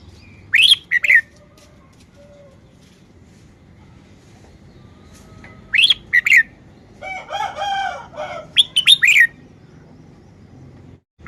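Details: A red-whiskered bulbul sings brief, lively whistled phrases of two to four notes, three times over, to show off its song style. Between them a rooster crows in the background.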